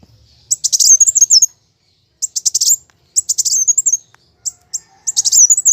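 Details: Kowul, the plain sunbird, in combative song used to stimulate other birds: four separate bursts of rapid buzzy stuttered notes, each ending in a thin wavering high trill, with short silences between.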